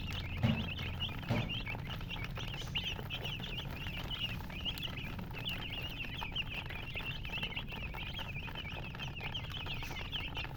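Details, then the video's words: Baby chicks cheeping softly but steadily, many high thin notes overlapping throughout, with two brief knocks near the start and a low hum beneath. "silly chicken chirping sounds"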